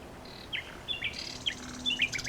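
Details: Nightingale song in loose fragments: a thin high whistle, then separate sharp downslurred chirps spaced about half a second apart, with faint rustling hiss behind.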